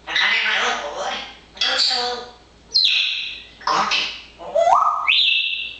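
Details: Pet parrot chattering busily in fine weather, a mix of harsh speech-like babble, a few sharp whistles and a clear level whistled note near the end.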